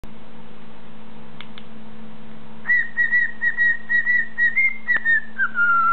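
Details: A male cockatiel whistles the Mickey Mouse March in clear, pure notes while in front of his mirror, over a low indoor hum.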